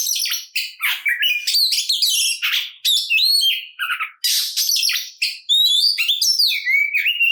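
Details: Aggressive fighting song of an Oriental magpie-robin, played to provoke rival birds; a rich run of scratchy bursts, buzzy trills and clear falling whistles, ending in smooth slurred whistled notes.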